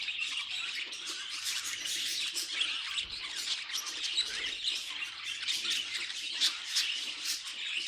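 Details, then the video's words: Pet budgerigars squawking and twittering, a rough, high, rapid chatter with occasional louder sharp squeaks standing out from the steady flock noise. "Funny Budgie Noises Compilation"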